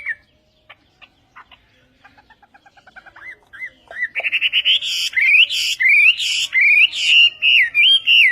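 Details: Chinese hwamei, called western hwamei, singing in Vietnamese style: quiet scattered clicks and soft notes build up, then after four seconds a loud stream of rich, rolling whistles that swoop up and down.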